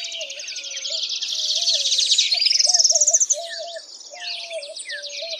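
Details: Dawn chorus with several singing bird species, among them many Adelaide's warbler songs: fast, pulsing high trills that swell and then stop abruptly, over repeated low tonal phrases and brief slurred chirps from other birds.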